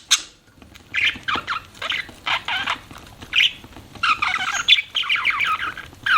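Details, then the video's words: Chirping budgerigars kept as pets: after a quiet start, a string of short, scratchy warbled chirps grows into a busier, faster chatter toward the end. "BUDGIES CHIRPING SOUND"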